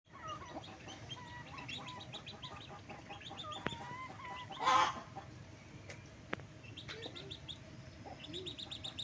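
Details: Backyard chickens during daytime feeding, many birds calling at once: short arched mid-pitched notes overlapping in a steady chatter, with scattered sharp clicks and one brief loud burst of noise near the middle.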